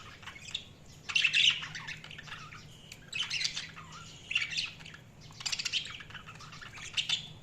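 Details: Budgerigars chattering in scratchy, buzzy bursts roughly every two seconds, with short squeaky notes between, moderately soft over a low hum.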